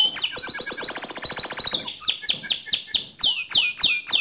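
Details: Gacor canary song meant as a training model for other canaries. A fast, bright, rattling trill is followed by spaced, sharply falling whistled notes about three per second.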